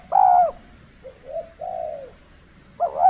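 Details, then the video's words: Spotted dove at a decoy trapping session in the cold season, birds reluctant and unaggressive; a loud clear coo opens, then a quieter short note and a long falling coo, and another loud coo closes. "burung tekukur kalau musim dingin kurang bernyali termasuk pikat pun kurang agresif"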